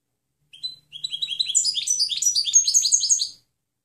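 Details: Clean European goldfinch song kept as a tutor recording for training other birds: a rapid tinkling run of high twittering notes that starts thin and rising, then grows into dense, bright, repeated chirps, with no other sounds.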